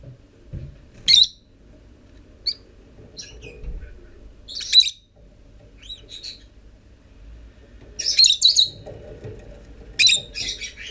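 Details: Lovebird chicks that began hatching on 13 November, emerging from the nest on 25 December; irregular high, harsh chirps in clusters a few seconds apart, busier toward the end, with a faint low background hum.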